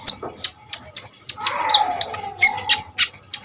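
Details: Common iora singing in rapid, energetic style, used to lure and tutor kolibri ninja birds; a steady run of sharp, high chips about every quarter second, mixed with brief whistles and softer lower chatter.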